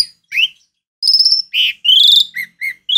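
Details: Jalak suren (Asian pied starling) singing a lively sequence: short slurred whistles, a steady ringing tone, a nasal buzz and a rising harmonic note, with two brief dropping calls.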